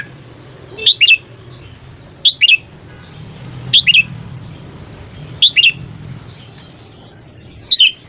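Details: Red-whiskered bulbul morning song used for voice training. Five short, bright two-part whistled phrases, each about a quarter-second long, come roughly every one and a half seconds over a low steady hum.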